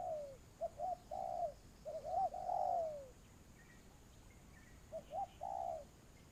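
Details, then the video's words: Spotted dove used as a lure in trapping: hoarse, mellow coo phrases of two or three quick notes ending in a longer falling coo, repeated after a quiet gap, with faint distant chirps and a steady high hiss. "tiếng chim cu gáy"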